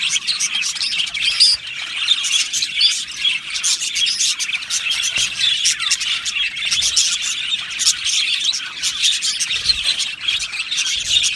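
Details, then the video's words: Australian budgerigars, a colony in an aviary, singing and chirping together: a dense, unbroken chatter of high twittering, warbled notes and short chirps, steady throughout with frequent bursts of sharper squeaks. "Beautiful Australian Budgie birds aviary sound | Budgie singing and chirping sounds"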